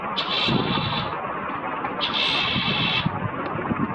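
Chestnut-cheeked Starling giving two harsh, buzzy, high-pitched notes, each about a second long, over a steady low rumble of background noise.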